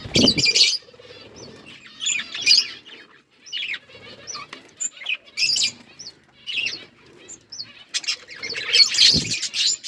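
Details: Pet budgerigars chirping, bursts of high chatter separated by quiet gaps, short upward whistled notes repeated between the bursts, with some wing or cage rustling.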